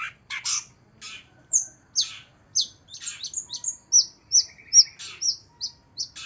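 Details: Long-tailed shrike song, used as a lure recording to prompt a reluctant bird to sing: a rapid, uneven run of sharp high chirps and short downslurred whistles, some notes paired, with a faint low rumble underneath.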